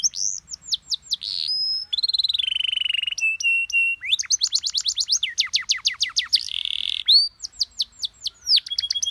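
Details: Canary master song meant for other birds to copy, in an easy-to-imitate style: rapid trills of downward-sweeping high notes alternate with sustained buzzy tones and fast repeated chips, phrases changing every second or so.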